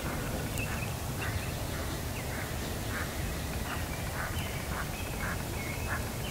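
A duck quacks in short, nasal bursts repeated about twice a second, partly buried under a heavy, steady low rumble.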